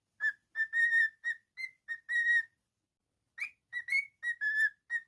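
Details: Cockatiel singing a string of clear, even whistled notes, many short and a few drawn out. A second burst follows after a brief pause. Quiet background.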